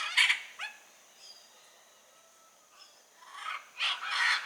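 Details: Blue-and-yellow macaw calling in the wild: one loud, grating squawk at the start, a long near-silent gap with faint calls, then two strong, harsh, rasping squawks close together at the end.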